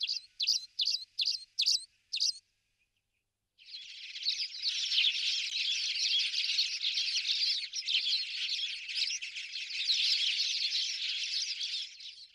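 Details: Spanish sparrows recorded in November 2019 in Toledo province, Spain: five loud separate chirps, a pause, then a long continuous chorus of many birds chattering together for about nine seconds.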